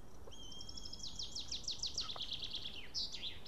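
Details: White-tailed eagle, a male, back at his Estonian nest after ringing on 8 June 2018 at 12:54 pm, having dropped the fish he carried; a steady whistle breaks into a quick train of about a dozen falling yelps.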